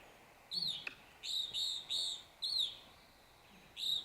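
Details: Evening grosbeak (Hesperiphona vespertina) dawn song, played back from a phone: a slow series of loud, clear, slightly burry down-slurred chirps about every half second, made of flight calls with some trills.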